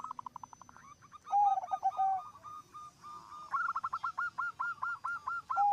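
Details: Zebra doves singing steadily, one bird's song prompting others to join in: clipped, bubbly coo notes in quick runs broken by longer mellow coos, with overlapping phrases from several birds.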